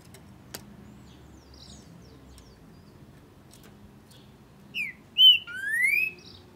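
After a quiet stretch, a Green-winged Saltator gives a brief whistled phrase: two short clear notes, then a longer rising slurred whistle. A faint background hum continues throughout.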